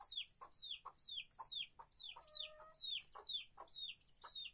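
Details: Free-range hens in a countryside henhouse: shrill descending peeps about twice a second, each a quick downward slur, with a brief lower, steady tonal note partway through.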